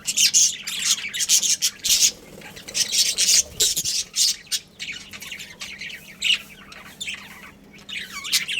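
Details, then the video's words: Budgerigars in a home breeding colony squawk and chirp in rapid scratchy bursts, with a few clear rising and falling whistled notes toward the end. "Cute Budgies Chirping Sounds"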